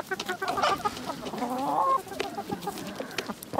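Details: Village hens clucking together, short choppy clucks around a louder nasal drawn cackle in the middle, several birds overlapping with scratchy background noise.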